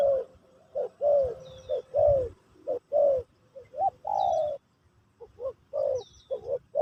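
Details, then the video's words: Terkukur (spotted dove) cooing in pesom/kacuk style during a session teaching a new bird: rounded low notes in groups, one drawn-out hum in the middle, sparse thin chirps of other birds. "Burung Terkukur Pesom/Kacuk...Sesi Mengajar Burung Baru"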